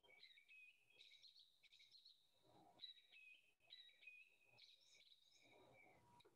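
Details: Song Thrush singing loud, varied whistled and chirpy phrases, repeating each two or three times before switching to a new one, unlike a blackbird; faint background hiss.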